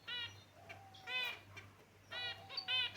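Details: Finches kept in a cage chirp in three bright, nasal bursts of repeated harmonic notes, separated by brief pauses, over a faint constant low hum.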